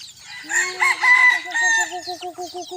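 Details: Young bantam chicken crowing on a hot day in the evening, its crow said to sound like an older bird's: a harsh opening note, then about ten short, evenly repeated tonal notes. Faint high chirps of other birds are in the background.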